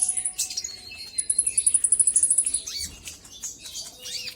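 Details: Brown-throated sunbird lure singing to provoke a rival: a very high, even trill of rapid ticking notes lasting over a second, followed by scattered squeaky chirps and softer twitters.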